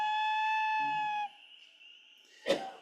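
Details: Common Loon wail, heard in Maine in spring, often given within pairs at the nest to recall a partner out fishing: a loud, pure, mournful note held over a second, trailing off faintly, ending with a brief knock.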